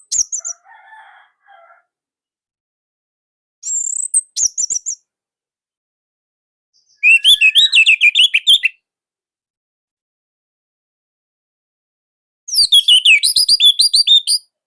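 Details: Loud, tight-voiced Orange-headed thrush from Indonesia, a hobby bird whose song is used to tutor young birds. Separate bursts of rapid chattering, high twittering notes come between long silences, with a soft lower warble at the start.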